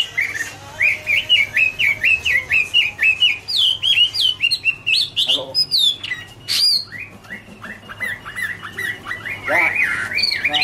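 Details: Chinese hwamei singing in autumn: a long series of quick, evenly repeated whistled notes about once a second, breaking into varied slurred and upswept phrases, then a looser, softer warbling passage.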